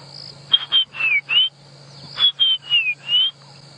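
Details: At sunrise around 5 AM on 28 January 2017 in Djuma Game Reserve, South Africa, a White-browed Scrub Robin gives a repeated phrase of four clear whistled notes, some slurring down or up, over a steady cricket trill and low hum.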